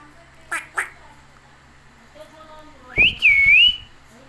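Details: A pet parrot saying "mitthu": two short sharp bursts, then after a pause a clear whistled phrase that rises, dips and rises again before trailing off, with quiet background noise.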